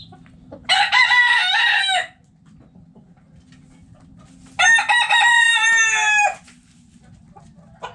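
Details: Roosters in a backyard coop crowing twice, each call a loud, rasping, sustained cock-a-doodle-doo of over a second, separated by a quiet gap with faint clucking and a low background hum.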